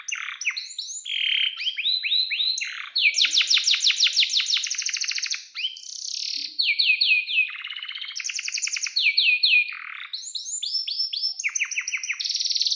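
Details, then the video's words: Canary in full song, described as a lively, long-singing bird in breeding condition, used as a tutor for young canaries. Bright, high song mixes fast buzzy trills, rolled runs and sharp downward-swept chirps, changing phrase every second or two, with no other sounds. "SUARA BURUNG || Kenari GACOR PANJANG"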